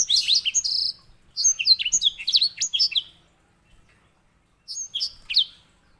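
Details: Edel sanger (white-rumped seedeater) master song for training canaries. Three bursts of sweet, quick, high warbling phrases with upslurred and downslurred notes, separated by short pauses.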